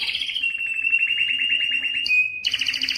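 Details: Canary, excited and wanting to mate, sings a rapid rolling trill, a short pure whistle, then a dense buzzy trill.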